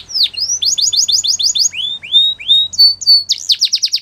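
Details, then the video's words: A canary sings a rapid roll of repeated whistled syllables, then drawn-out rising notes and a short high flat tone, ending in quick sweeping chirps. "Canary Birds Song | The Best Canary Sounds"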